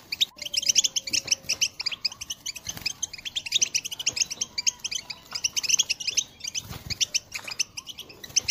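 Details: European goldfinch call song from 2022, intended to inspire other birds to sing: long run of quick, high tinkling chirps and trills, with a faint low whistle and a few soft knocks.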